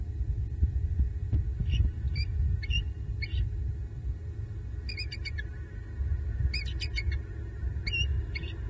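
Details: A Bald Eagle pair at a southwest Florida nest tree at night or in the early morning in November gives thin, high, squeaky chittering notes, singly then in stuttering bursts, as the female vocalizes and the male answers; owls are also heard.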